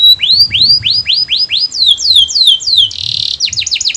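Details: Canary singing sweetly: a loud run of repeated rising-falling whistled syllables, about three per second, shifting to faster downslurred notes, a brief buzzy trill and quick chirps near the end.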